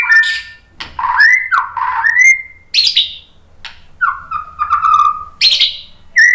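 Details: White-rumped shama song used as a lure to provoke other shamas into singing: loud, varied whistled phrases, some rising and sliding, others falling, broken by short sharp notes and brief pauses.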